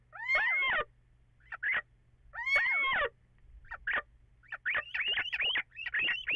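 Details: Little owl, possibly two calling together, on 14 April after 04:56, with echo: two long, harmonic-rich wailing notes about two seconds apart, then a fast run of short rising yelps.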